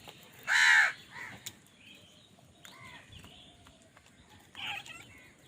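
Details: A single loud, harsh caw from a crow in a fight over food, followed by quieter chirps and a muffled call from other birds.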